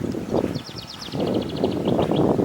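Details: Wren singing in a yard with chickens, one of two wrens around the house and thought to be nesting in a small birdhouse: a fast high trill of rapid repeated notes, over loud rumbling noise and clucking hens.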